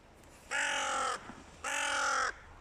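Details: A crow calling during a noisy standoff between two rival groups as the nesting season approaches. It gives two long, strong, nasal caws, each over half a second, separated by a brief pause.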